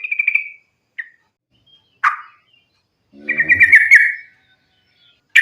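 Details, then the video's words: Yellow-vented bulbul in rapid fighting song, a lure to get bulbuls singing: a bubbly trill, scattered chirps, then a longer rolling chatter, ending on a sharp note. "trucukan gacor tarung sambung ropel ini ampuh buat pancingan trucukan agar bunyi"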